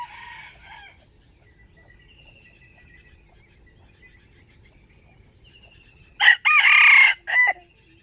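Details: Wild chicken for trapping, dated 05/07/2025, bursts into a loud rasping crow in stuttered segments near the end. Earlier come thin high whistled notes from small birds and a faint distant crow.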